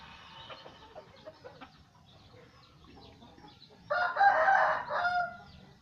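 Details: Red junglefowl from Aceh used as a lure (pikat) call: after quiet stretches of faint distant chirping, a loud, harsh, broad crow bursts out and holds for over a second before fading.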